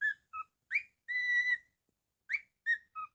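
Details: Pet cockatiel whistling a tune: short notes stepping up and down in pitch, one long steady held whistle in the middle, then more quick up-and-down notes.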